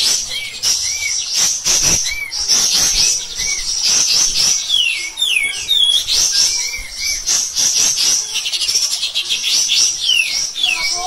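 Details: Pied triller on a master recording for other birds, in a harsh, insistent shooting song: a steady wall of high, scratchy chatter with repeated short rising-falling whistles and swooping downslurs throughout.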